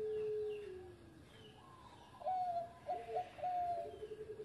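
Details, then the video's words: Ex-champion zebra dove in engkel style: a fading drawn-out coo, then a brisk burst of clear, ringing notes and a trailing fluttery tone, with constant background hiss. "Mantan Juara Suara Engkel Sari Cengkok Irama Merdu"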